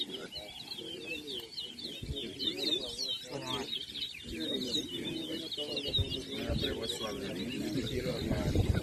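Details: Caged towa towa (large-billed seed-finch) singing in a 2023 bird race at Anna Regina park, Essequibo, Guyana: rapid twittering, warbled phrases run on without pause, under steady crowd chatter and murmuring voices.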